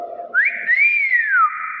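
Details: A clever hill myna makes a quick upward whistle, then a broad arching whistle that swells and falls away, over a low steady hum.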